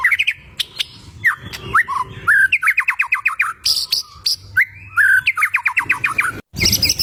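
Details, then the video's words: Energetic white-rumped shama song for provoking rival birds: fast rhythmic runs of rising whistled notes, varied slurred phrases and sharp high clicks, continuous and loud with little background. "LANGSUNG NYAUT MURAI BATU GACOR || PANCINGAN SUARA MURAI BATU YANG BIKIN LAWAN EMOSI"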